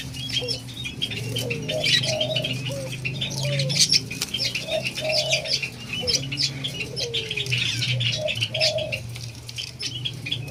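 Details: White-eared brown dove, locally called alimukon, being tamed; soft mid-pitched tonal notes, some short and falling, come in spaced pairs and short runs over constant high chirping and scratching and a steady low hum.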